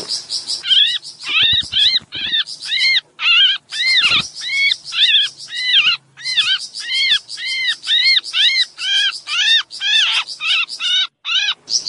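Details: A sooty-headed bulbul in breeding condition gives excited calls, a rapid run of bright, arched, chattering notes about two per second, used as a lure to draw small birds near; a few clicks and a brief low hum are also heard.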